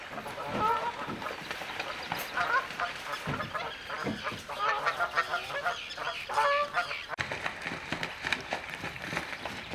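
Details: Canada geese fighting, a confused chorus of harsh overlapping honks and squawks from several birds with constant background noise.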